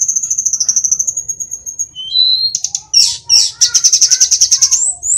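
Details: A wild-caught Sunda robin from the mountains of Kokap, Kulon Progo, Yogyakarta, a mimicking songbird, sings a thin, very high, rapid trill, then slides into a lower whistle and a quick run of sharp, buzzy repeated notes.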